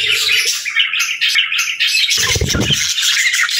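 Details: Several budgerigars chirping and singing in a dense, continuous high warble of scratchy chirps and squeaks, with brief low thumps near the start and a deeper rumble around the middle.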